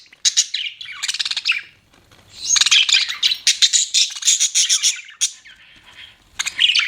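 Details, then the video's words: Budgerigars chirping in dense bursts of high, buzzy twitter and rapid pulsed notes, with a brief lull before the chatter resumes and a final sharp burst. "BUDGIES CHIRPING SOUND"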